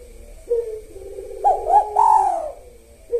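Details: Spotted dove in lively kuk satu song with the sahur rhythm, opening on a low sliding coo, then three louder, brighter coo notes in quick succession before a trailing low coo and a fresh note at the end.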